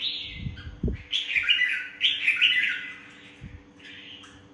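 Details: Caged Red-whiskered Bulbul, a mature wild-caught bird from Vietnam kept for song competition, singing short warbled, bubbling phrases with a few dull thumps in between and a steady low electrical hum underneath.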